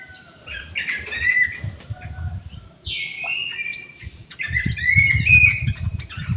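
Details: Caged orange-headed thrush in an aviary, recorded as therapy for birds slow to sing. Several whistled, slurred phrases are separated by short pauses, with a steady low rumble and scattered knocks underneath.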